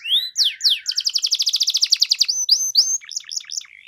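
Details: Canary singing rising and falling sweeps, a rapid pulsed trill of about fifteen notes, then upward slurs and short chattering notes fading out.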